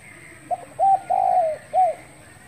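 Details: A spotted dove giving its morning call on 10 February 2021: a soft lead-in note, then three low, smooth coos, the middle one longest and sliding downward, with a steady faint background hum.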